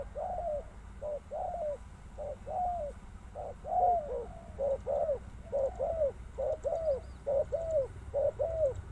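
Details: Spotted dove giving repeated soft, hollow coos, two- and three-note phrases about a second apart, steady and clear over low background rumble.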